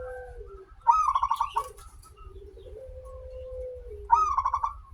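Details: Singing local zebra dove used to lure others into song: two phrases, each starting with a high clipped note and running into fast pulsed cooing, separated by a steady low drawn-out tone and faint clicks.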